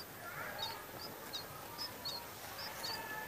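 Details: Red-whiskered bulbul chick in a nest in a back yard, recorded on a mobile phone; short, high, thin chirps repeated about every half second, faint against steady background hiss.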